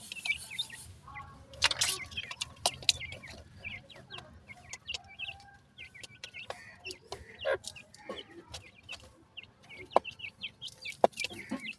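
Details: Several grey francolin chicks calling while feeding: a busy stream of brief, high, falling cheeps, at times dense and overlapping, with intermittent sharp clicks and a few louder knocks.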